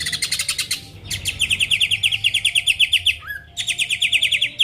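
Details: Greater green leafbird singing as a lure for rival birds. Fast, harsh, buzzy trilled chatter repeats in steady pulses, broken by one brief rising whistle before the trill resumes.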